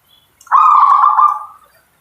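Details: Short song burst from a local zebra dove: one rapid, vibrating rolling trill held about a second, fading at the end, in quiet surroundings.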